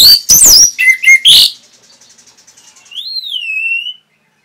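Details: Song of the orange-headed thrush, a training recording for caged birds. It opens with rapid loud high chirps and twitters, then goes quiet before one drawn-out whistle that rises and then falls slowly.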